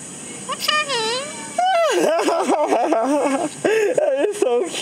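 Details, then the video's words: Cockatoo in the Philippines talking in a raspy, speech-like voice with wavering rising and falling syllables while a person talks to it, asking its name and saying hello. "Cockatoo Talking to Me"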